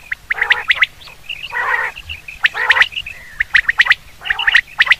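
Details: Common quail call used for hunting: sharp clicking notes near the same pitch in quick triplets, mixed with harsh, gargling bursts lower down, repeated about once a second.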